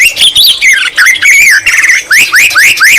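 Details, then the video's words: Loud, clear white-rumped shama song carrying green leafbird imitations: wavering whistled phrases, then a quick run of sharply rising whistles about three per second. "Murai batu isian cucak ijo Gacor Mewah"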